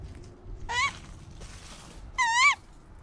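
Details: A captive male falconry tawny owl, flown among trees on a bright, windy December morning and noisy because not yet fed, gives two harsh, wavering screeches about a second and a half apart, each rising then dipping, with a brief soft rushing noise between them.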